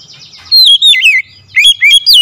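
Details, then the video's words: Oriental magpie-robin calling in a loud, forceful voice: two phrases of clear whistled notes, the first descending in steps, the second with upswept and looping whistles. "KACER MEMANGGIL SUARA LANTANG KERAS"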